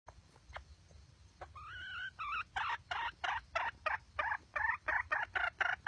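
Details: Wild red junglefowl hen calling: after a brief wavering whistled note, a series of loud harsh clucking bursts repeated roughly every third of a second, rough and broadband, over a quiet background.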